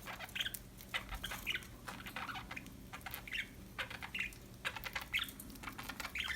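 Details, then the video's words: Happy budgies chirping softly: a dense, quiet stream of quick twittering chirps and clicks, almost continuous, with no pauses longer than a moment. "Happy budgies chirping sound"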